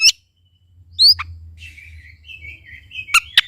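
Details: Oriental magpie-robin song used to coax a silent bird to sing: a sharp upslurred whistle, soft wavering warble, then two abrupt chipping notes, with low hum beneath.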